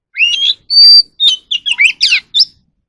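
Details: Oriental magpie-robin song for voice training: a loud slurred whistle, a long piercing flat high note, then a lively string of twisted chirps and warbled whistles, all clear and close.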